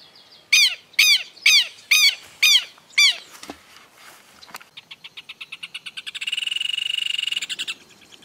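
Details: Red-crested cardinal feeding in Esperanza, Santa Fe, Argentina, 2022, foraging on ground or plants: six loud, harsh arched notes about every half second, then a softer pulsed series running into a buzzy, rapid trill.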